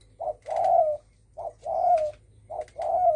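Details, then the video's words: Spotted dove thổ sấm call for provoking other birds: three regular phrases, each a short hollow coo followed by a longer, slightly falling, smooth coo, about one second apart. "Tiếng chim cu gáy đồng thổ sấm kích bổi"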